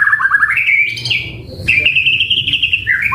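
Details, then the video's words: Caged white-rumped shama singing: a fast trill climbing into a sustained bright whistled note, a short break, then a long level warbled whistle ending in a dropping flourish. "Masteran Suara Burung Murai Gacor Full Isian"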